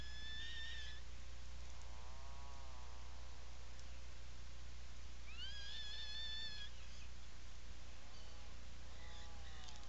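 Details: Atlantic puffin calls inside a nesting burrow, Seal Island National Wildlife Refuge, Maine, July 17, 2018, afternoon: a mix of lower arched moaning notes and higher, rising, sustained whistled calls over roughly ten seconds, steady low background hum.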